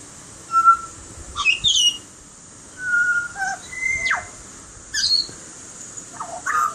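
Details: Butcherbird giving separate clear whistled notes, some level and some sweeping down sharply, spaced about a second apart with short high flourishes between.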